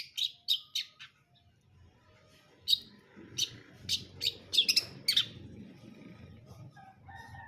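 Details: Brundol-style song of a long-tailed shrike: a string of sharp, harsh, scratchy notes spaced unevenly, loud at first. A quieter stretch with faint background murmur follows.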